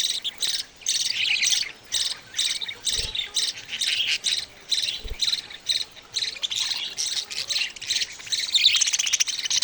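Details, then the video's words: Budgie babies chattering: rapid, harsh high-pitched chirps in short bursts, repeated almost continuously with brief pauses and a couple of soft thumps. "Cute budgie babies sound"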